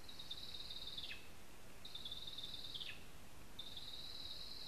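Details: Whining notes of a lesser spotted eagle at a spruce nest in Zemgale, Latvia: three long, thin, high, even tones, each snapping downward at the end, repeated about every one and a half seconds over faint noise.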